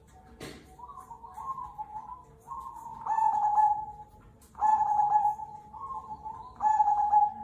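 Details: Zebra dove of the Cemani Kolbuntet type, a local bird used as a calling lure; repeated mellow hooting coos in phrases roughly every one and a half to two seconds, each ending in a longer steady tone, after an opening click.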